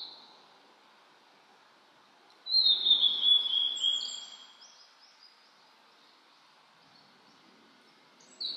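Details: Blue-and-white flycatcher singing in spring mountains in 2022, on a cloudy 14°C day after rain, among fresh green leaves. One loud, clear whistled phrase of sliding, descending notes, then a quiet pause and the start of another phrase.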